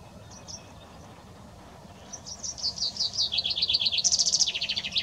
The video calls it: Pinsà comú - Pinzón común - Common chaffinch - Fringilla coelebs